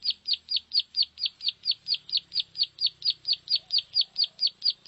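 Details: Lure sound of a plain prinia for drawing in field-dwelling birds: a fast, even series of about nineteen high, clipped, descending chirps, evenly spaced, over a faint low murmur.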